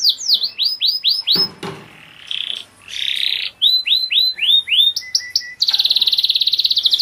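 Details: Selected Spanish Giboso canaries of pure blood in cages singing: rhythmic runs of high falling whistles, a noisy burst, buzzy segments, then a fast even metallic trill at the end.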